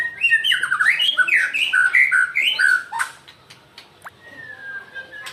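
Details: Angry Medan-type white-rumped shama singing loud, rich whistled phrases, varied and rapidly slurred up and down, in a dense burst lasting about three seconds, followed by a few sharp clicks and a thin, drawn-out whistle.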